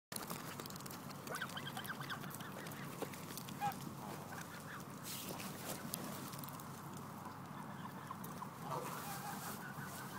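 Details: Hungry Canada geese give a steady chorus of overlapping nasal honks and low gabbling, with several birds calling at once and no clear pause.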